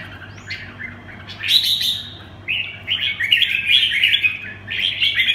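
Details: Red-whiskered bulbul, 'quảng lân bướm' song style: a soft opening note, then loud, rapid, chirpy warbled phrases rising and falling, with a constant low hum beneath.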